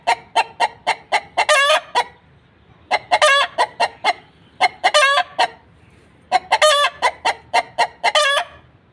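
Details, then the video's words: Hen clucking around egg laying: bursts of quick, clipped clucks rising into strained, stretched cackles, repeated in several bouts with short quiet gaps between them. "Hen Clucking Sounds"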